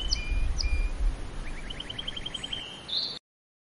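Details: A few high canary chips and flat whistles over low rumbling noise, then a short rising rapid trill and a bright burst before the sound cuts off.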